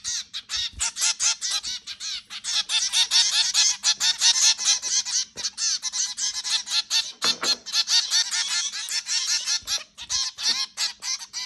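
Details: Several zebra finches calling while feeding at home: rapid, overlapping nasal toots and beeps, roughly two or three per second, forming a steady busy chatter with no pauses.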